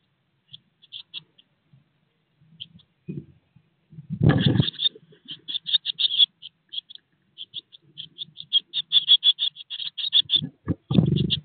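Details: Sixteen-day-old Eurasian blue tit nestlings in a nest box, close to leaving, start with scattered thin chips that swell into a fast continuous chorus of high begging notes, broken by loud low scuffling thuds of the brood moving.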